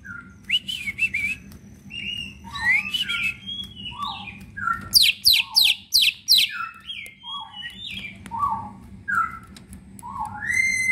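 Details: Green leafbird (cucak ijo), a caged songbird favoured by bird hobbyists, delivers a rich medley: short whistled phrases, high sharp downslurred notes repeated about five times, and scattered lower chirps, with faint background hum.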